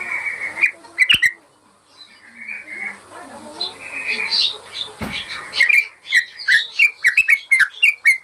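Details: Yellow-vented bulbul song played as a master recording for training caged birds: bubbly whistled phrases at the start and end with a quieter, muddled stretch between.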